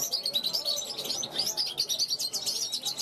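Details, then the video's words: Young European goldfinch hatched in 2021, a large-type bird rehearsing on a balcony and calling to wild goldfinches flying past; rapid, dense twittering with tinkling, buzzy notes in quick bursts throughout. "Jilguero mayor pichón del 2021 repasando"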